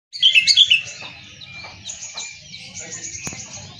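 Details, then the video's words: Oriental magpie-robin, a costly kept songbird, opening with a rapid burst of bright high chirps and twitters that trail into softer chattering notes over a low rumbling background. "KICAU BURUNG KACER"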